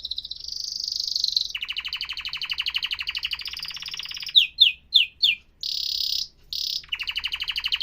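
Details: Canary in professional-style song: a high steady trill, then a lower rapid buzzy roll, a few sharp downslurred chips, and more fast trills.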